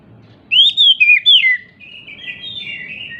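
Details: Oriental magpie-robin, described as agitated and jumping, singing to provoke silent magpie-robins into song: a burst of loud, clear whistled slurs sweeping up and down, then a softer, quieter warbling trill.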